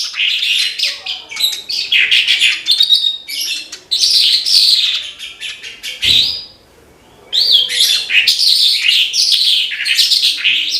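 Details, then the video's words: Horsfield's bushlark, locally branjangan, singing gacor: long sequences of sharp chirps, rattling trills and varied high whistles, a short click near six seconds, then a silent gap before the song resumes vigorously. "BRANJANGAN GACOR TIADA LAWAN"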